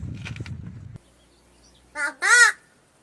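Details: Talking crow rescued injured as a chick and raised by a family in Gargaon, Wada taluka, Palghar, known to say Marathi words such as kaka, aai and tai; low murmured human speech, then two short voiced, word-like utterances after a pause.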